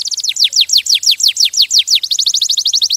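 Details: Canary delivering rapid, evenly repeated high downward-slurred notes, slower and broader in the middle, then quickening into a tight trill at the end.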